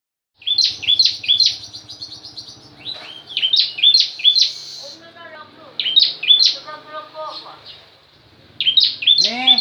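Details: Bar-winged prinia singing a song with a variation imitating another bird: high, sharp, chirpy phrases repeated in bursts. Lower, softer, downslurred notes sound between the bursts.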